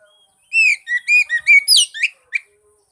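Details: Lure song of an Oriental magpie-robin for stirring a silent bird to sing: about seven rich whistled notes of shifting pitch in a rapid run, then a single short note after a pause; background otherwise quiet.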